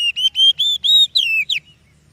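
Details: An oriental magpie-robin sings a lure song meant to coax other birds to sing. Bright sustained whistles sit at one pitch, then several notes slide downward. The phrases end abruptly into near silence.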